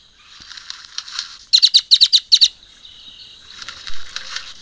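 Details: Great-tailed Grackle giving a quick run of about eight short, high, clicking notes grouped in pairs and threes over roughly a second, against soft background hiss.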